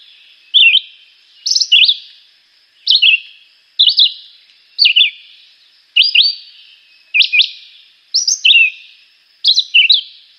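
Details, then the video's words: Juruviara, the Chivi vireo, a small green migratory bird, delivers short sweet whistled phrases of two or three rapid slurred notes, spaced about one second apart in a steady, repetitive series. "Juruviara - Pássaro - Canto"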